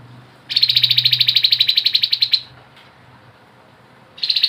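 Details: Grey-headed babbler giving the ngebren style of song: a harsh, buzzy rattle of rapid even pulses lasting about two seconds. After a quiet pause, another rattle starts just at the end.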